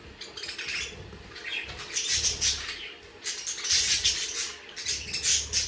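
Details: Budgerigars giving loud, rasping, noisy bursts of high chatter in repeated waves, mixed with soft low thumps and fluttering sounds.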